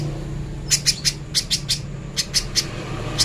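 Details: Little spiderhunter, a clear training recording, giving sharp high chips in short clusters of two or three with brief pauses between, over a faint low hum.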